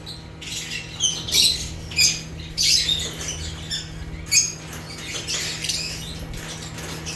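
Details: African lovebirds (Agapornis) chirping: scattered short, sharp high-pitched squeaks and chatter in bursts at irregular intervals, fairly quiet, with a steady low electrical hum beneath.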